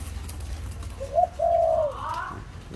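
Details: A tame captive spotted dove, filmed on the evening of 12 November 2021, gives a soft, low coo: a short note followed by a longer, slightly wavering one, over faint background hum.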